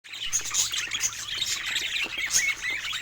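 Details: Several pet budgerigars playing with toys give a dense, continuous warbling chatter of high, scratchy chirps and short squeaks, with sharp whistled notes popping out now and then.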